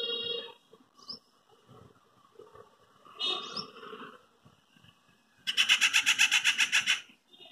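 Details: Treepie calling on a quiet afternoon while moving from branch to branch, its call loud and metallic: harsh, ringing notes in short groups, then a rapid rattling burst of about a dozen pulses near the end.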